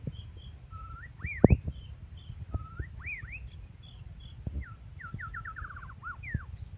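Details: Aggressive white-rumped shama singing: clear whistled phrases, some rising in quick upward slurs, others level, ending in a fast descending string of short notes, with occasional clicks and low background rumble.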